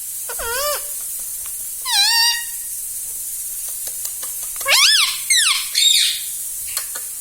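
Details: Talking pet parrot producing short, curving, harmonic utterances spaced irregularly, ending with a cluster of three quick rising-falling phrases, against steady background hiss and a few soft clicks.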